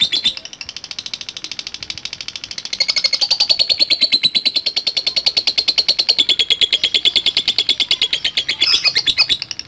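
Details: Lovebird responding to a lure recording, chattering and ticking in reply; a fast, regular stream of sharp high ticks, about three a second, over a sustained shrill tone that wavers slightly, louder after the first few seconds.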